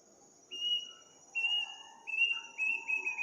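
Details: Unidentified bird calling at midnight in a village on the eve of Eid, its voice strange and eerie: five high, flat whistles in quick succession, coming faster and ending in short trills, with a high insect whine throughout.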